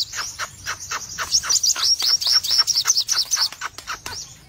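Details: Ngobra song of a red-eyed cremino Crimson sunbird: fast, high-pitched twittering delivered in full bursts, notes flicking up and down in a continuous chattering stream.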